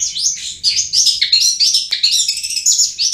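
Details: Long-tailed shrike in full 'ngriwik' song, a tutor recording: a continuous, varied, high chattering warble of quick squeaky and whistled notes jumping up and down in pitch without pause.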